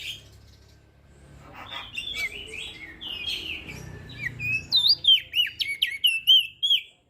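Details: Crested white-eye from Lombok, a training recording for birds that rarely sing: after quiet opening seconds, a run of sharp whistled chirps with rising and falling notes, repeated rapidly, over faint low background hum.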